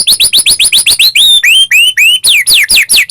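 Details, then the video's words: White-rumped shama in full song, used to provoke other shamas into singing: rapid run of loud rising whistled upsweeps, then longer bright slurred whistles and fast falling notes, repeated almost four times per second. "murai batu gacor AMPUH buat PANCINGAN murai batu agar bunyi"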